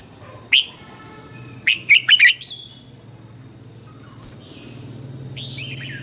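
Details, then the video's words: Red-whiskered bulbul singing in the morning as a lure voice for training: a single sharp note, then a tight cluster of four to five warbled notes, followed by faint, softer chirps from farther birds over a constant high whine. "luyện chào mào hót sáng, Hót hay KÍCH BỔI NHANH CĂNG LỬA, Cách luyện chào mào hót căng lửa"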